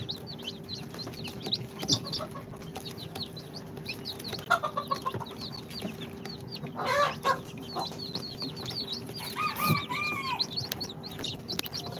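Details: Newly hatched chicks on day two after the incubator, mixed Sultan, Golden Sebright, Cochin and booted breeds, peeping softly and continuously in high chirps, with a few lower drawn-out calls and brief knocking noises over a steady hum.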